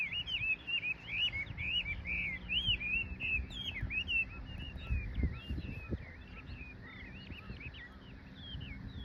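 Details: Wild birds singing on 2 April 2022, after the cherry trees bloomed, along a cherry-lined embankment park on the left bank of the Nishi-Kinugawa in Japan; quick chirped and whistled notes come in rapid bursts over a low rumble.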